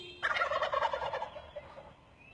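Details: Turkey calling from the trees, a loud rapid gobbling rattle of many quick notes fading over about two seconds.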